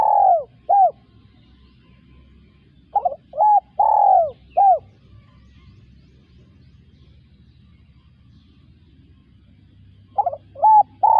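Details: A spotted dove repeats its hollow coo phrase of short notes around one long, drawn, slightly falling coo. The phrases are separated by long silent gaps, with only a soft low hum in the background.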